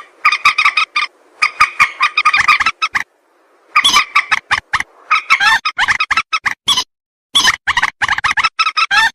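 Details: Common moorhen voice played to lure birds for hunting: bursts of quick, harsh kek-like notes in irregular groups, separated by short silences, some notes sliding upward.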